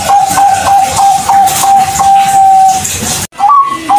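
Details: Zebra dove of the Bangkok type singing on an outdoor hanging pole, used to prompt silent or learning doves to sing: a long, even, low coo held for about three seconds, then an abrupt gap and a brief higher coo, under steady background hiss.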